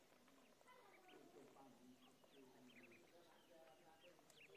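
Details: Ducklings in a pond: many thin, high peeps rising and falling in arcs, overlapping quickly throughout against a steady murmur of background noise.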